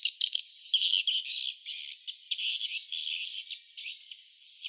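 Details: Swiftlets at their nest, a dense twittering chorus of high, rattling chirps with brief louder bursts, steady throughout with no low sounds.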